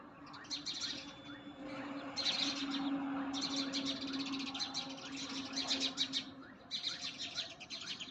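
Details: House sparrows chirp in bright, rapid, overlapping bursts, several birds chattering at once over a low steady hum, running and calling on a green rooftop garden in the morning.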